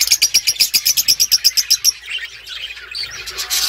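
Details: Budgerigar chirping: a fast, even run of about sixteen sharp high chirps in two seconds, then softer mixed chatter.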